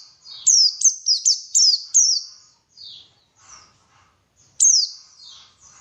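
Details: White-eye song played to encourage singing: a quick run of five sharp high descending chirps, softer high twitters after it, then one more loud chirp.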